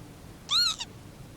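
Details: Northern lapwing, also called the pewit, at Fox Tor Mire, a moorland bog on Dartmoor, England, where it nests on a dry patch near the bog edge: one short, wheezy, slurred call rising then falling, in quiet surroundings.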